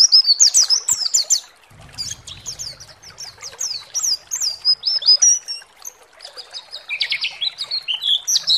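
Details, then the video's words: A white-eye's master lure song, meant to provoke other white-eyes into singing excitedly with open beaks: a fast, high, twittering warble of thin slurred notes and trills that runs almost without pause. "SEMUA PLECI GACOR BAKAL EMOSI DAN NGALAS BUKA PARUH"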